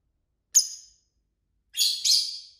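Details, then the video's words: Pet lovebirds, a mixed-colour flock of six, chirping while playing with a toy: one sharp high chirp, then a pause and a harsher double chirp with buzzy, broadband texture, in an otherwise quiet room. "lovebird singing & chirping sounds"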